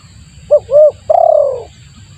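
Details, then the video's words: Spotted dove calling as a lure: a quick pair of short hooted notes followed by one long, descending, burry coo over faint low rumble. "suara pikat tekukur bagus untuk pancingan"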